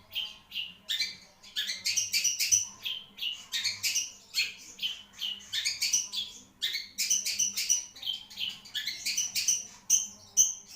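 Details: Marlboro-type long-tailed shrike delivering a long, varied song of harsh chatter mixed with thin, high whistled notes, phrases repeated in rapid succession with little pause.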